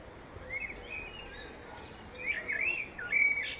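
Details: Common blackbird singing in spring, filmed in spring 2014: two rich warbled phrases, a brief fluting one near the start and a louder, more complex burst of whistled notes in the second half, over faint background hiss.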